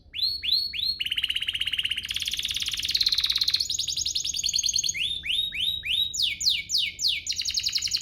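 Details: Canary song aimed at making other canaries sing, with falling swoops, a long rapid trill, a dense buzzy passage and more repeated descending swoops at high pitch.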